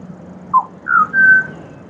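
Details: Three pure whistled notes from a pied butcherbird in Australia, a short falling note followed by two longer, steady, slightly rising tones, over a faint low hum.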